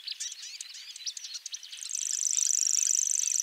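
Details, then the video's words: Grass warbler singing: a run of quick, scratchy high chirps, then a very high, rapid pulsed trill that carries on evenly to the end. "Grass warblers. Birds singing. Unusual bird chirps"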